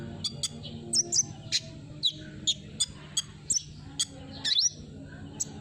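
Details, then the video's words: Olive-backed sunbird singing as a lure: crisp, high-pitched chips and short sweeping notes, roughly two per second, clear over a faint low hum. "suara burung kolibri"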